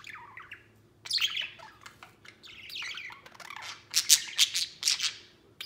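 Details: Pet budgerigar, a white male, playing on a playground outside its cage: varied warbling chatter of falling chirps and buzzy squeaks, building to loud, harsh rapid bursts near the end.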